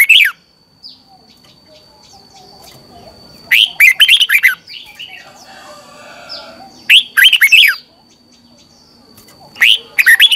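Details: Red-whiskered bulbul singing a morning lure song for training birds: four spaced bursts of fast, bright warbled notes about three seconds apart, with faint chirps and a steady high tone in the background.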